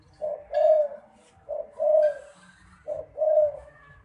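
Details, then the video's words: Spotted dove cooing: three low, mellow phrases, each a short note followed by a longer rolling coo, repeated roughly every one and a half seconds, with faint background noise. "Tiếng chim cu gái"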